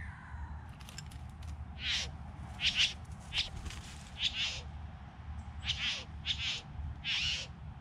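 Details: From a group of three bowerbirds, a run of roughly ten hissing, scratchy bursts comes in uneven clusters, some with falling tails, above a constant low hum.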